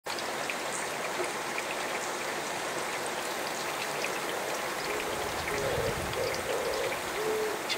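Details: An Oriental turtle dove sings early in the morning while getting wet in the rain: its low, hoarse cooing phrases come in the second half, partly buried under steady rain and dripping water.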